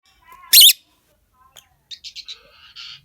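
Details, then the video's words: Rosy-faced lovebirds, male and female, in a breeding colony with new chicks: one loud harsh shriek, then a series of short bright chirps and a soft buzzy note. "Peachface lovebirds male female chirping"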